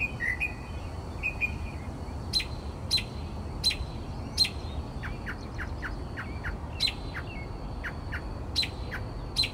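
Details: Northern mockingbird singing through the night at 4 am outside a Texas bedroom window; whistled slurred notes followed by loud sharp clicking chips repeated roughly every second, against a low continuous hum.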